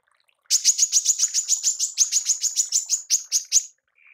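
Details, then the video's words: Rapid-fire tembakan call of a female manggar, used for training songbirds: about eighteen bright, high chips in quick succession, ending in a soft, thin whistle. "TEMBAKAN MANGGAR BETINA"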